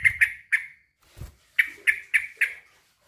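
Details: A male sooty-headed bulbul calls to a rival in a series of harsh, squawky chirps in two bursts, with a soft low thud between them.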